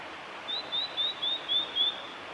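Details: Singing male blue-and-white flycatcher, spring, Kanazawa forest road by Lake Miyagase, Japan, 25 April 2016; a run of six thin whistled notes, each a short upward slur, repeated about every third of a second against constant hiss.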